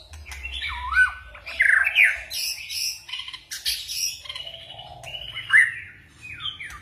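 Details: White-rumped shama singing in forest style with switching phrases: clear whistled notes, some sliding down, others rising, mixed with short harsh squawky bursts in quick, varied sequence.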